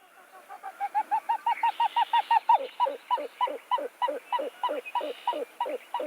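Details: A Pied-billed Grebe gives its very loud "ow hoop" call, audible at a fair distance from small wetlands: about twenty hollow, hooting notes, quick and level at first, then slower, drawn-out and slurring downward as if tiring.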